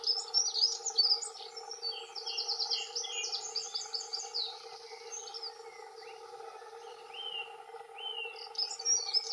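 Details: Territorial song of male dunnocks, two birds: quick scratchy high warble running through the first half, softer trailing notes after, then a fresh burst of rapid twittering at the end; constant low hum behind.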